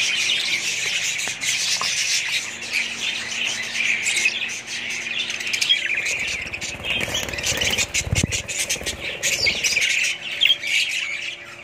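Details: Group of pet budgerigars in a family flock, keeping up loud, dense chirping and warbling chatter throughout, with short rustling or thumping sounds partway through.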